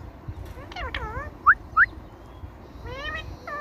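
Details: Indian ringneck parakeet kept as a talking parrot: brief harmonic, speech-like syllables, two loud short upward whistles about a third of a second apart, then further wavering voice-like notes.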